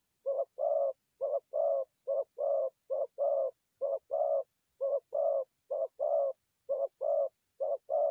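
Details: Steady run of low dove coos for trapping forest doves, each a quick short note followed by a longer one, the pair repeated about every seven tenths of a second in a clean, quiet recording.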